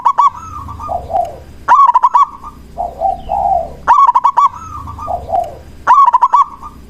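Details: Zebra dove, local type, calling to draw answers from other doves: four quick stuttering coo phrases roughly two seconds apart, softer low warbled coos filling the gaps.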